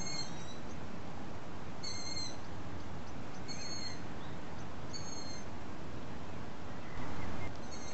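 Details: Long-eared owl chicks calling to be fed by the adults, recorded through a telescope well after sunset: five sharp, squeaky, whistled squeals spaced about one and a half seconds apart, over low constant background noise.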